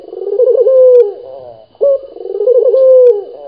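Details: Two full cooing phrases from a local dove in strong voice: a rough, warbling start runs into a steady drawn-out coo, then a brief pause before the next phrase.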